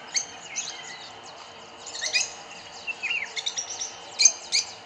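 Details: Gregarious flock of Rosy-faced lovebirds, suspected aviary escapees, feeding in fruiting trees in Kyalami, Midrand, Johannesburg. They give shrill, squeaky chirps in quick, uneven bursts, several chattering over one another against a faint hiss.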